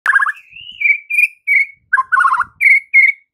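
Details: White-rumped shama song used in the afternoon as a lure so young spotted and moulting shamas answer: a buzzy trill, a long rising-falling whistle, then short clear whistled notes repeated about every third of a second.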